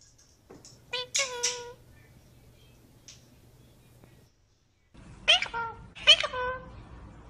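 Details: Pet cockatiel saying "peekaboo" in a small room: a pair of grating, voice-like syllables, a pause with low background hum, then two more sharp harmonic syllables.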